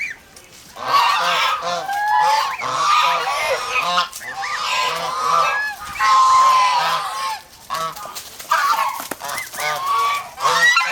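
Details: Repeated nasal honking from domestic geese in the Philippines, a guarding, aggressive flock, with honks rising and falling in long noisy runs that overlap one another.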